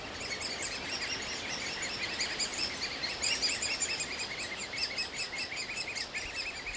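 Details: Great spotted woodpecker chicks calling nonstop for food from a nest cavity in an old aspen where the parents bring food; dense, rapid high chirping pulses steadily through the whole stretch, growing louder midway.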